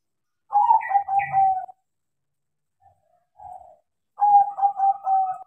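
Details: Zebra dove of a crossbred line, taught to sing and in steady voice: a phrase of stuttering notes running into a drawn-out coo, a short soft note after a pause, then another phrase of rapid notes ending in a longer coo.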